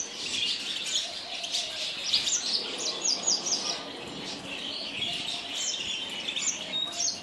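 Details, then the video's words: Yasmin bird singing: a busy stream of high, thin chirps and short twittering notes, some sharp and clipped, delivered almost without pause over a steady background hiss. "تغريد طائر ياسمين"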